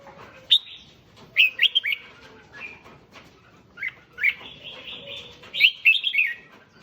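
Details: Red-whiskered bulbul song used to stir up other bulbuls: clusters of quick, bright, warbled whistles with rising and falling slurs, in phrases roughly every second, alongside a faint lower steady tone.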